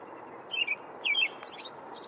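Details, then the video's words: An American robin perched on a branch sings two short, clear caroling phrases about half a second apart, followed by thin, high notes over a soft steady background hiss. "Tranquil Melodies of the American Robin"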